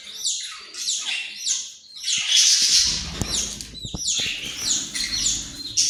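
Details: Australian parrot chattering in harsh, high, descending squawky notes, one louder burst midway, with some low rustling and thumps underneath.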